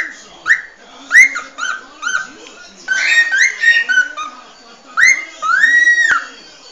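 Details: Original species song of a cockatiel: short rising whistles and warbled phrases in bursts, ending in a longer rising whistle that slides down, over a low background hum.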